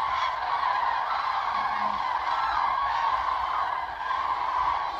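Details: Common cranes gathered in a big group on the Bodden meadows near Ribnitz, Germany, recorded from far away on a bike path; continuous layered trumpeting from many birds forming a constant roar.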